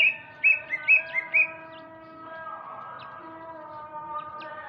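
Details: Male greater green leafbird from Sumatra heard in the afternoon, giving four or five quick bright whistles that flick upward, followed by quieter sustained lower tones and a few faint high chips.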